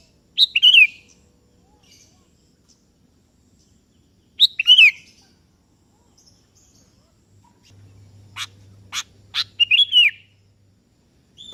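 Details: Sooty-headed bulbul of the type called kebo, singing to call a rival that answers: short bubbly chirruping phrases with a bright downslurred whistle, spaced a few seconds apart, then a burst of sharp clicky notes and a soft hum.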